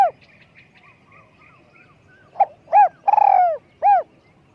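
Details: Spotted dove used for decoy luring, described as having a small voice; after faint soft notes, one phrase: a short note, an arched coo, a long rolling purr, then a final arched coo.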